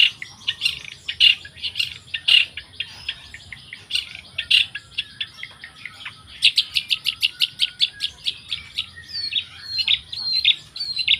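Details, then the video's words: Long-tailed shrike song of fast, dense chattering notes, then a sharp series of rapid repeated ticks, ending in several short slurred whistles. "burung cendet"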